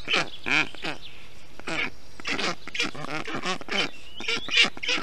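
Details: Black stork chicks in a nest in Estonia on 20 June 2021, during heat while the adult male brings water, moss and wet grass to cool them. Harsh, raspy calls come in uneven bursts, with pauses between clusters.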